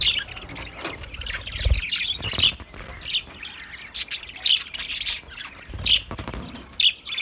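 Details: Pet white budgies chatter with clipped squawks and bright chirps in uneven bursts, punctuated by a few low knocks.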